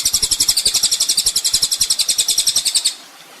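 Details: Songbird training master of the olive-backed sunbird (kolibri ninja): a bright, very high buzzing trill of rapid even beats for about three seconds, fading into quiet.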